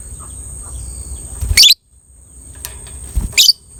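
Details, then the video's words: Violet ('biola') colour variety of lovebird, used to stimulate breeding drive; two brief, harsh, high-pitched chirp bursts about two seconds apart, with low background hum and faint clicks between them. "DIJAMIN LOVE BIRD ANDA BAKALAN NGEKEK PANJANG SETELAH DENGAR SUARA INI"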